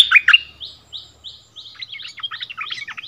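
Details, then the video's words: Bulbul dueling in song with a resident territory holder, a decoy bird returned to its former ground in February 2021. Two loud chirps, then a few clear rising whistles and a fast, dense warbling burst. "เสียงนกดอกแตงEp.30 คืนถิ่นเก่า!!ดวลเพลงเบิ้ลกับเจ้าถิ่น"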